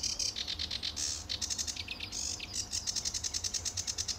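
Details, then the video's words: Lively sedge warbler in full song on a blue-sky early July morning at RSPB Fowlmere, 2013: fast scratchy chatter, brief whistled slurs and rapid rattling trills, all high-pitched and varied. "Sedge Warbler at RSPB Fowlmere"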